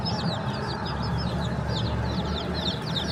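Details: Baby chickens chirping busily: clear, high, downward-sliding peeps from several chicks, tumbling over one another nonstop above a faint low hum.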